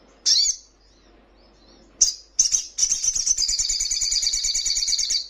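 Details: Crimson Sunbird song meant to get caged birds answering: two isolated high chips, then a stuttered note leading into a long, fast, shrill trill that runs on steadily to the end.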